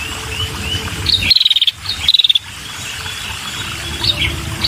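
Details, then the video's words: A female red-headed prinia luring males gives two quick, high, buzzy trills of close-spaced pulses about a second apart. Softer background chirps and a steady low hum surround them. "Suara Burung Prenjak‼️Kepala Merah Betina‼️Gacor dan Untuk Pikat Burung Prenjak Jantan"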